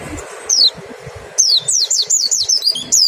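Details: High white-eye notes in 'nembak' style, played to spur singing: one lone falling whistle, a pause, then a quick string of about eight wavering, descending whistled notes.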